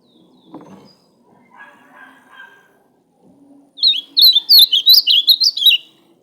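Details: After a few soft, low background sounds, an ultramarine grosbeak bursts into a loud, quick phrase of rising and falling whistled slurs. The phrase lasts about two seconds before stopping abruptly.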